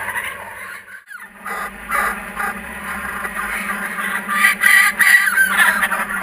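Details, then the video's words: Returning kookaburras recorded with GoPro Hero 3D and Fujifilm W3 cameras. After a short pause, raucous, harsh chuckling builds up in fast, uneven pulses and grows louder toward the end. "Our Kookaburras are back"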